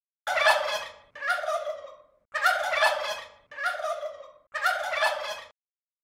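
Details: Turkey (Meleagris gallopavo), gobble.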